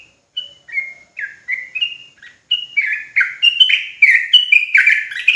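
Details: Javanese trucuk, a sooty-headed bulbul, singing a lively ropel-style run: clear whistled notes, some level and some falling, start softly and spaced, then grow louder and faster toward the end.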